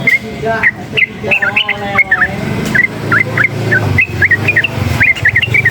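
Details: Sooty-headed bulbul (trucukan) agitated by noise, giving clear short whistled notes, rising and falling, repeated about twice a second, with vehicle rumble and other faint chirps behind.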